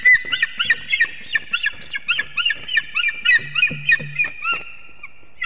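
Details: Eagles at a Latvian nest near Ķemeri, two unringed adults, 6:01 am, 8 March 2024, morning calling with mating. Rapid uneven yelping notes tumble at about three a second, with a low humming sound briefly underneath near the end.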